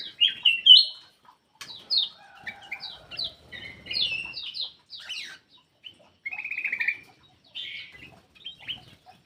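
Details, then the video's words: Black-crested bulbul song played to encourage silent birds: loud whistled phrases at the start, then varied chirps and a fast, even trill, fading toward the end. "PANCINGAN BURUNG MALAS BUNYI CUCAK EMAS \ KUTILANG EMAS GACOR"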